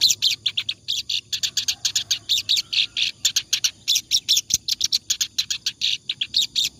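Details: Clamorous reed warbler singing continuously (ngacor) as a tutor for other birds: a long, dense torrent of loud scratchy chattering notes, barely a break between them, some phrases faster and buzzier.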